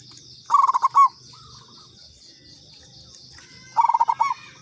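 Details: Local zebra dove (perkutut lokal) lure call: two bursts of rapid, stuttering, mid-pitched cooing notes, each burst about half a second, spaced about three seconds apart, over a steady high insect buzz.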